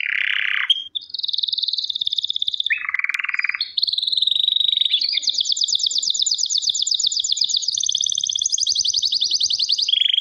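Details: Canary singing: long rolling trills at varied pitches, a low buzzy tour, then sustained high rapid twittering rolls that change speed, with brief fluty notes between phrases.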